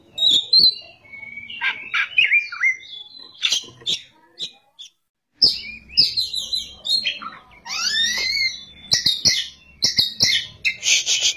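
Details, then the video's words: Oriental magpie-robin in energetic ngerol and nembak song: varied whistles and sharp chips, a brief pause, then a fast, dense outpouring of high twittering, slurred and rising notes. "kacer gacor ngerol,nembak"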